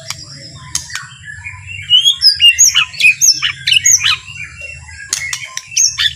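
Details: White-rumped shama (murai batu) singing a soft, relaxed song meant to provoke other shamas into singing and agitation: high clear whistles and quick chipping notes in loose bursts, over a faint low hum.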